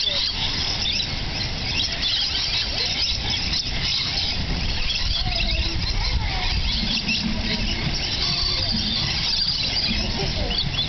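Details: Lorikeets at the Nashville Zoo, 20 September 2007, keep up a dense, shrill chatter of squeals and screeches with no pause over a steady low rumble.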